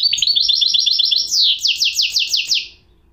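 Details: Goldfinch hybrid song: a chattering burst of rapid high notes gives way to a clear series of about seven loud, downward-swooping sweeps before stopping abruptly.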